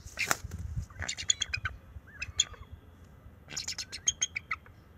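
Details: At a bald eagle nest on March 7, 2024, the young male warns an intruding owl with calls and wing flaps. Repeated bursts of high, squeaky, chattering notes, with a rough whoosh near the start.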